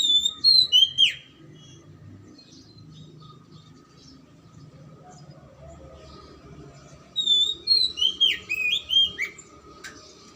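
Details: Oriental magpie-robin song used as a lure to get silent or lazy magpie-robins singing: two bursts of sharp whistled, slurred notes at the start and again after a long pause, over a steady faint hum and low rumble.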